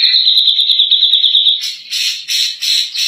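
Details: Grey-cheeked bulbul (cak jenggot) in rapid-fire 'nembak' singing, suited for training other birds: a tight, buzzy high trill lasting over a second, then harsh, broad, rasping bursts in quick succession.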